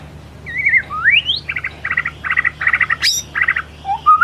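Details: Murai batu song used as a lure to make a shama open its repertoire: a sliding whistle and an upward sweep, then five buzzy stuttering trill bursts, a sharp high squeak and soft low whistles.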